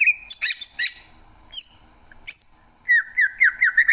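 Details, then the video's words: Greater green leafbird calling with sharp, separate high squeaky notes spaced out over a quiet background, then a quick run of short downward whistled chirps. "Cucak ijo, suara kicauan burung yang indah."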